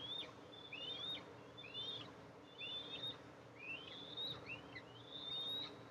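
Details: Eastern imperial eagles, two eaglets and their mother bringing food, on a nest camera, July 14, 2024. Several thin, overlapping whistles with wavering, hooked shapes form an irregular, chattering series over a soft hiss.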